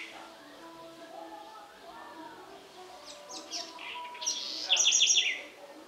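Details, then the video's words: A house wren singing in the Sertão of Bahia, Brazil: soft, scratchy chatter building into a loud, bubbling burst of quick high notes near the end, over a faint murmur. "Canto da Garrincha"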